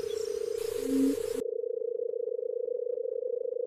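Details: Barred buttonquail giving a softer, steady, fast-pulsed low trill throughout. A short, low hoot sounds near the start, and the background noise cuts out abruptly partway through.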